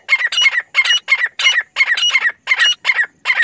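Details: Francolin hunting call meant to draw birds in: rapid bursts of harsh, grating squawks in an uneven rhythm, nearly three per second, each note scratchy and broad with a bright ringing edge.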